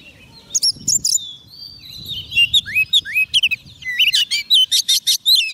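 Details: Singing Oriental magpie-robin calling wild birds, opening with soft warbling and building into a quick series of sharp whistled slurs and buzzy chips repeated about two or three times a second.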